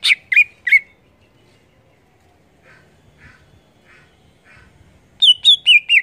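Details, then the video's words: Greater green leafbird singing gacor ngeplong. Three sharp, grating notes open the phrase, followed by quieter scratchy sounds, then a burst of four clear notes stepping down in pitch. "Cucak ijo gacor Ngeplong"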